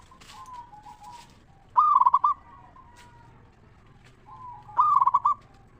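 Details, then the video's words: Zebra dove, local type, singing to lure other zebra doves into calling: two loud rolling phrases of quick pulsed coos three seconds apart, preceded by softer distant cooing and rustle. "Perkutut Lokal Gacor RAJA PIKAT Suara Ngeristal Paling Ampuh Bikin Semua Perkutut Nyaut Gacor"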